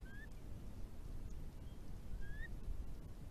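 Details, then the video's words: Curlews at night in spring 2020 on a wetland at a wastewater treatment works in Tarland, giving faint, slurred, rising whistles against a steady low rumble of background noise. "Curlews at night"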